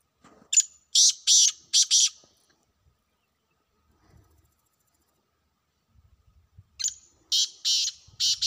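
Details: Two harsh call phrases from a wild black francolin in a hunting setting, each a run of five buzzy, rasping notes, separated by a quiet stretch with soft low rustles.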